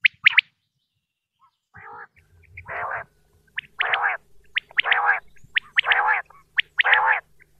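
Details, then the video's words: Common quail in Pakistan, recorded for hunters: one sharp high phrase, then a string of loud, broad, rasping bursts alternating with short high notes. "quail sound effect video"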